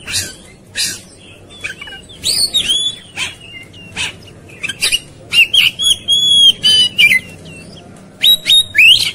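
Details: Fierce, fighting Oriental magpie-robin song: rapid runs of sharp clicks and rasps mixed with loud ringing whistled slurs, growing denser and louder toward the end.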